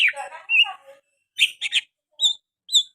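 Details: Oriental magpie-robin with sooty-headed bulbul phrases in its song: a burst of scratchy chattering notes, then short isolated chirps and two thin high whistles separated by silences.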